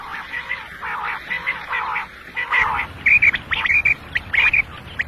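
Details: Quail, one male, calling in a morning and night recording made for hunting: a run of buzzy rasping phrases gives way to clear, bright whistled chirps repeated in short groups.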